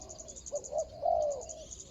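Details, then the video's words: Decoy spotted dove on the ground luring a rival, 24 January 2022: one short cooing phrase of two soft notes and a longer drawn-out coo, over a constant shrill insect drone. "ต่อนกเขาใหญ่.. ต่อดิน.."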